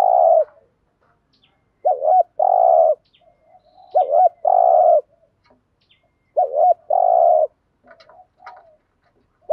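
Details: Cooing of a spotted dove, used as a lure to draw in wild doves. The phrase repeats about every two and a half seconds: a hooked double note, then a long, low coo. Soft chirps and murmurs sound between phrases.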